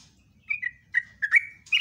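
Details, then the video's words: Caged sooty-headed bulbul (trucuk): scattered whistled notes with downward slides, a short burst of song ending on a higher note. "PANCINGAN TRUCUK STRES,ROPELAN TOP"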